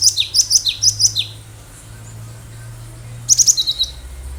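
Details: Wild cinereous tit (gelatik batu) singing vigorously, a recording meant to lure other birds. Rapid high two-note phrases repeat about five times, then after a pause a second run of sharp notes follows.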